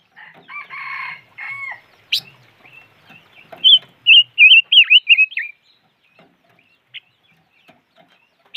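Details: Five-coloured bird heard after some low, harmonic noises at the start: a loud warbled run of wavering whistled notes, followed by sparse faint chirps.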